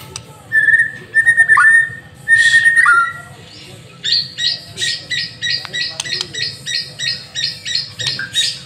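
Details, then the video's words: Vigorous white-rumped shama song for luring other birds: loud whistled phrases in bursts, followed by a steady run of repeated buzzy high notes, about two per second. "Murai Batu Masteran sekali Pancing Langsung GACOR"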